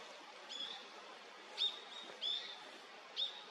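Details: Male Daurian redstart; four short, thin whistled notes, each slightly rising, spaced about a second apart over steady hiss.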